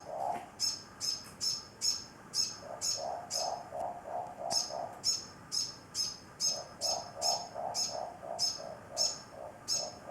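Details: Older Morepork perched on the edge of a container, continuously calling to an injured younger Morepork with a broken wing as if comforting it. Runs of soft, low, hooting notes alternate with bursts of sharp, high, repeated chirps.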